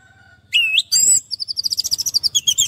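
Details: Orange-headed thrush singing, a recording meant to coax stressed birds back into song: a loud rising whistle and a bright phrase, then a fast run of high ringing notes, with a low background hum.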